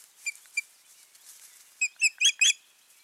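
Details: Osprey pair at the nest on 14 June 2019, after a failed nesting: the male vanished and the female gave up incubating. Two short, high whistled chirps are followed by a quick burst of four louder, slightly harsher chirps.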